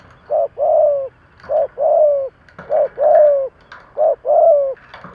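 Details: Close, loud cooing of a decoy spotted dove trained to stir other doves, each phrase a short coo followed by a longer falling one, repeated four times at an even pace.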